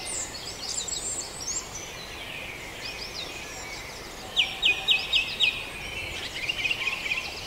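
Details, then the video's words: At Farndale during the dawn chorus, soft distant birdsong gives way to a series of five sharp, clear notes in quick even rhythm, then fainter chirping continues under a steady hiss. "Dawn Chorus"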